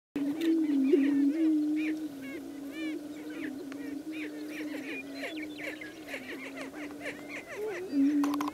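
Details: Male greater prairie-chickens displaying at a lek: a steady, low hooting drone runs throughout, overlaid by many sharp, rising whoops and cackles from other birds.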